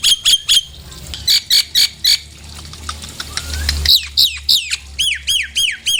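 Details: Nias hill myna lure calls meant to excite birds into singing: rapid harsh clipped notes in groups of three and four, a faint rising whistle, then a run of loud downward-sweeping whistled notes.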